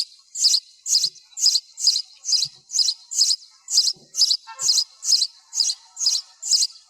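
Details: Noise-reduced recording of a sparrow calling: about fourteen shrill chirps at a fairly even pace of roughly two per second, with faint low knocks beneath.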